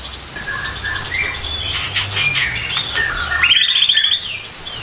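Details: Captive white-rumped shama, morning song used to provoke other shamas into singing: a fast, varied run of bright chirps and whistles ending in a clear rising whistled phrase, over a low background hum.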